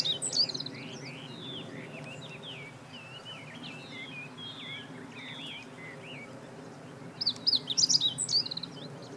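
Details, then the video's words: Meadow bunting recorded 20 March 2015; a long run of softer, rhythmic chirping from other birds fills the middle, and a quick, high, jumbled song phrase bursts in near the end. "囀るホオジロ hoojiro - Meadow Bunting"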